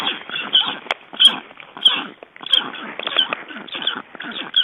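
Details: Black storks being ringed in Estonia on 29 June 2012 give harsh hissing, breathy calls, roughly one and a half per second, with faint clicks and handling noise between them.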